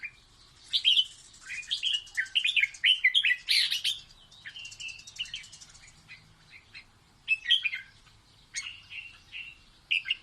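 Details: Red-whiskered bulbul's playful song to teach chicks: rapid bubbly warbling for the first few seconds, then spaced bright whistled phrases of two or three notes.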